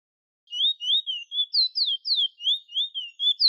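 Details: Bullfinch singing, recorded at La Pialle Road, Cedar Hill, Princes Town: a clear, continuous run of high, sweet whistled notes that slur up and down, about three per second, some sharp and rising, with no other sounds.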